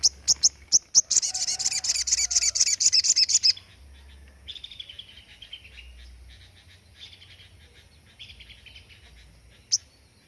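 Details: Crested jay (sogon) 'tembakan' burst, sought as master material for training songbirds: a few spaced sharp chips build into a fast, loud rattle lasting over two seconds, followed by softer warbled phrases and one final sharp note.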